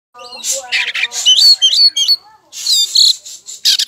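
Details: Oriental magpie-robin singing hard, played to provoke other magpie-robins into answering: a fast run of varied harsh squawks, sharp whistles and rasping notes, with brief gaps, ending in a burst of scratchy chatter.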